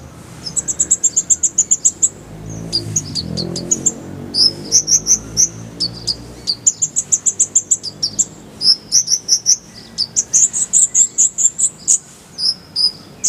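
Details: Oriental white-eye (konin) tutor song, shared with kolibri ninja: long, high trills and rapid chirp sequences repeated almost continuously, with a brief low rumble partway through.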